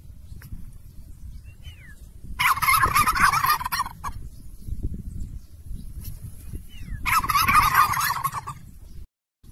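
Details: Two loud turkey gobbles, each a fast, bubbling rattle of about a second and a half, spaced roughly five seconds apart. Small whistled chirps come just before each one, over a low rumbling background.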